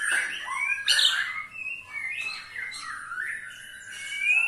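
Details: White-rumped shama ketrekan call, meant to prompt other shamas into song: a loud opening burst, then a run of whistled notes that slide up and down and flow smoothly into one another.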